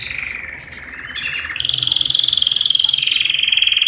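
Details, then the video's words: A canary sings rapid, high rolling trills held steady in pitch, then jumps to a new, higher trill after about a second. "Canary Singing"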